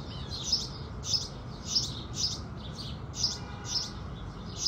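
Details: Morning chorus of house sparrows at sunrise, about eight sharp, high cheeps spaced roughly half a second apart, with a steady faint low hum underneath.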